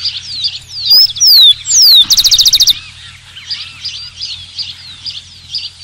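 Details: Rufous-collared sparrow (Zonotrichia capensis) singing: two or three loud, clear whistles slurring downward, then a rapid, dry trill of about ten even notes, with softer chirps from other birds and a steady low hum behind.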